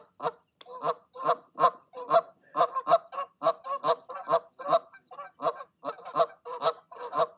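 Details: Goose parents calling their goslings down from the nest in the evening, urging the young to leap; loud, close, nasal honks repeated rapidly about every half second in an uneven series, with no other sounds.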